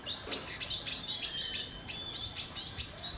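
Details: Indigo bird singing: rapid series of short, high, sharp chirps and twittering notes, about three to four bursts per second, against light background hiss.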